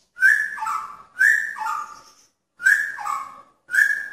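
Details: Male magpie-robin in a pairing cage courting a female, giving four clear whistled phrases, each a high note dropping to a lower warbled one, with brief pauses between.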